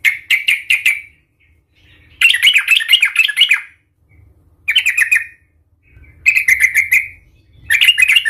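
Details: Agitated fighting song of a yellow-vented bulbul (trucukan), used as bait to make other bulbuls sing emotionally: several rapid bubbly warbling phrases about a second long, separated by short pauses, with a faint low hum.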